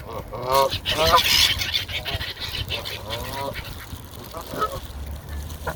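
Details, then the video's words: While eating beside screaming seagulls, a hungry Canada Goose gives a rapid run of buzzy, harmonic honks early on, then scattered single honks, mixed with high-pitched gull screeches. "Hungry Canada Goose & Seagulls Screaming While Eating"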